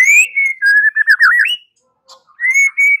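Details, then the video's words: White-rumped shama song used as a lure so a bird answers: clear sustained whistles, a warbled phrase rising at the end, a pause, then two steady whistles. "Pancingan Murai batu 85% Jitu jadikan Murai batu NYAUT NGEPLONG"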